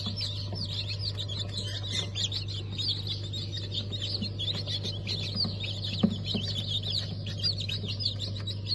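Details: Newly hatched chickens of Ottoman Sultan, Cream Legbar and Ameraucana breeds, hatch of 20 November 2023: dense, overlapping high peeping from many chicks, continuous, over a steady low machine hum.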